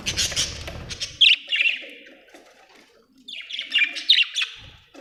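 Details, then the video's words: Budgerigar chatter: two bursts of squeaky, warbling chirps with bright whistled notes, a pause between them, and a short low rustle at the start. "budgie chirping sound"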